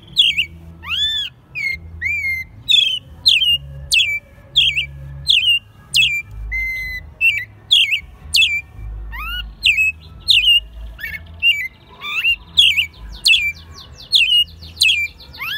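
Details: American robin raised from a nestling and caged in Mexico City, singing in March 2020, its second year of song. Long run of rising and falling clear whistles with sharp high squeaks, repeated about every second, faint hum beneath.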